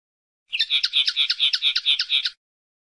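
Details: Linnet, called pardillo or pajarel, repeating a regular series of nasal, ringing notes at an even pace for nearly two seconds, flat in pitch and clearly isolated.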